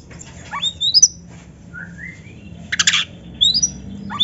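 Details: Oriental magpie-robin, black-breasted form, with scattered song notes: thin rising whistles, a drawn-out upslurred note, a short harsh buzzy burst near three seconds, then more high whistles, sparse and fairly quiet against soft background hum.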